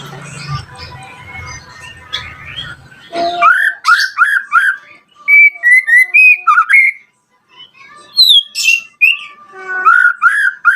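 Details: White-rumped shama song used as a lure to provoke rival shamas into answering: after a rough, noisy start, loud clear whistled phrases come in quick bursts, rising and falling slurs repeated several times a second, with brief high chips between.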